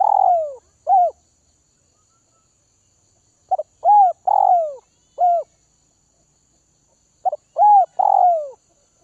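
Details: Hand-tamed spotted dove from Vietnam's northwest, cooing repeatedly: three phrases of stuttering notes, mellow coos and a long descending coo, each phrase spaced a few seconds apart, background quiet.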